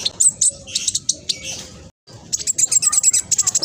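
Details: Speckled black sunbird in full, fast song meant to draw replies from other birds: dense, high, squeaky twitters and slurred whistles, a short gap, then a rapid run of sharp ticking notes.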